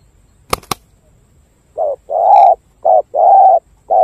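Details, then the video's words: Spotted dove from Cà Mau, Vietnam: two sharp clicks, then loud, flat, mellow coos in alternating short and long notes. "Đồng gù bài bản tốt"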